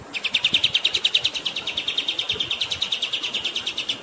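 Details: Kapas tembak pours out a continuous, rapid trill of bright high notes, about three a second, steady and unbroken throughout.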